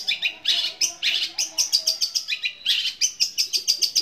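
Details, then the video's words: Long-tailed shrike (cendet) pouring out loud, scratchy, high chattering notes in quick bursts with sparrow-like chirps woven into a long unbroken run; described as a powerful, long, fighting-style song with mimicked calls. "Cendet suara gereja tarung sambung kunti gacor panjang keras powernya"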